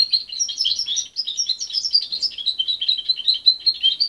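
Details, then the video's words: Parent-reared young goldfinch hybrid, separated from its mother at 23 days, delivering an unbroken high-pitched warble of quick chirps and short trilled notes for about four seconds. "Mixto de jilguero joven"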